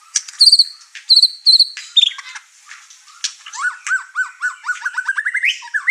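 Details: Agitated white-rumped shama pouring out its learned song material, making the other birds in the house angry. Sharp high chips and clicks lead into a fast run of repeated down-slurred whistles that rise at the end.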